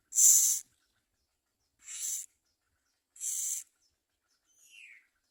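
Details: Common myna bringing food to its young; three rasping hiss-like bursts spaced over a second apart, then a faint thin rising note at the end.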